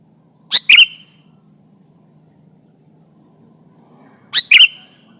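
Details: Sooty-headed bulbul singing as a trapping lure meant to press a rival: two short bright phrases of quick liquid notes, each with a rising slurred whistle, about four seconds apart, over faint background hiss.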